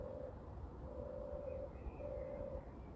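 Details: European turtle dove on the ground, 29 May 2023, 6:34 am; three soft, low purring phrases separated by brief pauses, with faint thin calls from another bird and a steady low background hum.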